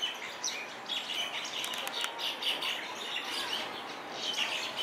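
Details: Common mynas tussling on a lawn at a hotel on Hawai'i's Big Island, where they are introduced: noisy, grating chatter and squawks, with a burst of clicky wing flutters in the middle.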